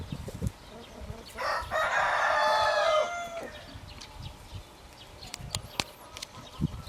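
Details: Rooster crow lasting about one and a half seconds, loud and richly harmonic with a gently falling tail. Sharp clicks and knocks are scattered before and after it.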